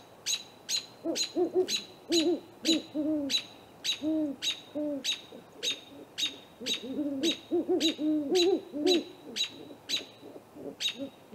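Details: A pair of great horned owls visits a great gray owl snag tree nest at 8:50 pm on April 21, filmed by a live nest camera. Deep, bending hoots overlap in bursts, with steady high chirps repeating about twice a second.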